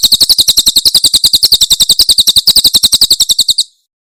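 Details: Javan prinia giving the 'tembakan' song style from Cililin, a super-clear master recording for tutoring songbirds: a rapid, very even series of sharp high ticking notes, about ten per second, for over three seconds, then silence.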